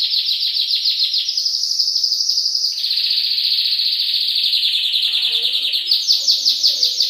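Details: Canary song prepared as a master recording for training other songbirds: a dense high rolling trill held near 4–5k, dropping slightly after three seconds, then breaking into faster repeated chips toward the end.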